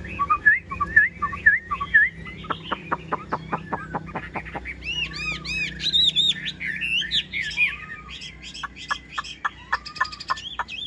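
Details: A caged yellow-billed Chinese hwamei sings on a rainy morning a day after arriving, still not fully confident. A varied song mixes sharp repeated tick notes, bursts of arched high whistles and slurred phrases at a brisk, irregular pace.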